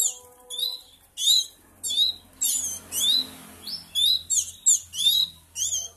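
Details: Three-week-old canary chicks being hand-fed beg with high, buzzy chirps, each a short rasping burst with a squeaky sweep, coming in rapid irregular bursts about every half second, with faint low hum behind.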